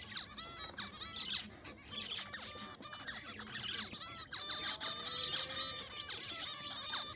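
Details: Captive breeding finches, including zebra finches, in a small colony of six pairs, pairing and courting, chatter together in rapid overlapping high nasal beeps and short twittering notes, almost without pause.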